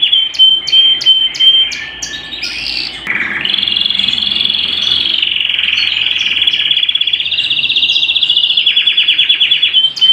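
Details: Canary singing at home: a clear whistled note and quick clipped notes lead into long, even, buzzy rolling trills that hold a steady high pitch and shift slightly upward near the end, with a pure whistle closing the phrase.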